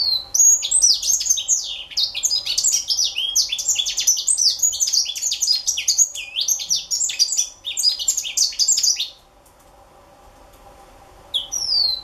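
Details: Young African citril giving a rapid, jumbled warble of high chirps and slurred whistles for about nine seconds, then silence before a brief restart; faint low hum in the background.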